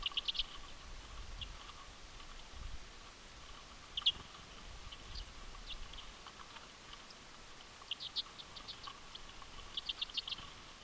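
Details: A flock of common redpolls at a feeder in boreal Ontario gives quick, high, dry chips in short bursts every few seconds, over a low rumble and a steady faint hum.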